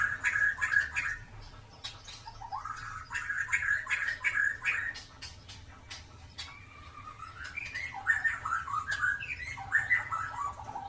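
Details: Singing white-rumped shama with a 'klewer' tail, meant to coax birds that rarely sing: repeated mellow whistled phrases with clicks and chattering notes, set against a steady low background hum.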